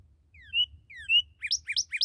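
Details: Newly captured red cardinal singing two slurred whistles, each a falling note then a louder upswept note, followed by three rapid chirping notes repeated at a quick even pace over a faint low hum.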